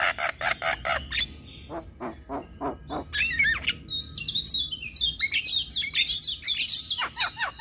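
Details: Javan myna prompting song for silent, stressed or moulting caged birds: a few rasping bursts and pauses give way to a tumbling run of high, bent whistles and squeaky notes.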